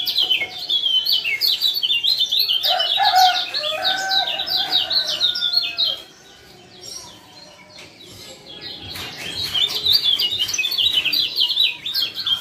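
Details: Male lemon-bellied white-eye from Lombok, used as a lure to get silent birds singing: a busy stream of high, twittering chirps, rapid and overlapping, briefly quietening midway, with a few lower whistled notes early on.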